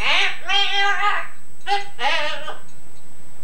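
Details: Pet Yellow-naped Amazon parrot mimicking its owner's singing voice, Scouse accent included, from an old tape: two sustained, wavering, harmonic sung notes, then a pause and two more shorter sung phrases indoors.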